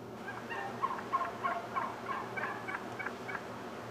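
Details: Morning group of wild turkeys with a displaying male, giving a series of short, bright, repeated notes about three per second, rising and falling in strength over a steady low hum.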